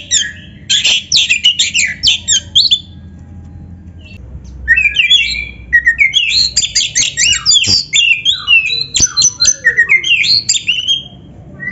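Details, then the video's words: Magpie-robin, or kacer, in a master recording for training a caged bird to sing, with a dense burst of scratchy, buzzy notes, a quiet pause, then a long run of varied chirps and short whistles. "SUARA BURUNG KACER GACOR MASTERAN"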